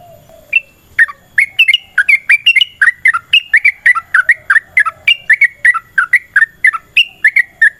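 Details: Yellow-vented bulbul in long, rapid fighting song used as a lure to prompt other bulbuls to answer: a steady stream of short, bubbly, slurred notes, roughly three per second, with faint low hum beneath.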